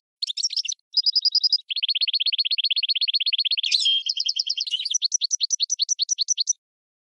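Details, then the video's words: Goldfinch × red canary hybrid, used as a tutor bird for song training, sings a fast, varied song of high repeated trills and buzzy rolls, each phrase changing every second or so. "GOLDFINCH x RED CANARY (Hybrid Bird) The Best Teacher for Training"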